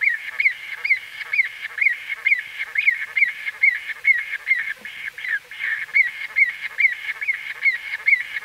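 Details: Close-up recording of white-fronted bee-eater calling: a quick series of clipped, upward-flicking nasal notes, roughly two to three per second, set against a continuous murmur of many more calls behind.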